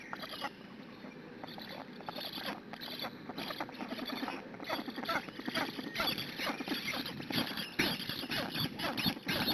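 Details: Hungarian black stork nestlings begging on the nest, June morning, via live camera, long before a parent arrives with food. Rapid squeaky pulses come about twice a second, growing louder and busier toward the end.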